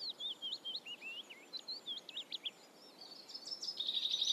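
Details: Black redstart (Phoenicurus ochruros), song.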